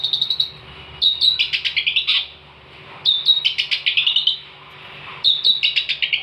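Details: Long-tailed shrike (cendet) in lively 'gacor' song, recorded as a master tape for training songbirds: three bursts of rapid high chattering notes, each opening with sharp whistles and sliding into buzzy descending sweeps, about two seconds apart.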